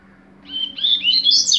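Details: Double-collared seedeater giving a brief song phrase in the 'tui tui zero zero' style: high chirpy notes that rise and grow louder toward the end, over a faint low hum.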